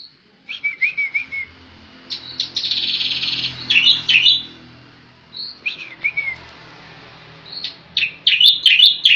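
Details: Striated grassbird (Megalurus palustris), Javan race palustris: loud bursts of high, slurred whistles and buzzy chatter, with phrases in quick volleys and short pauses between.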